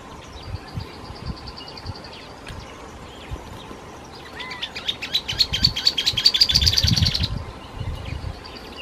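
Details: Dusky-tailed canastero (Pseudasthenes humicola) calling in the foreground in shrubby vegetation on Isla de Yáquil, Santa Cruz, O'Higgins region; a fast, high chattering trill of about two seconds after scattered thin chips, over wind rumble.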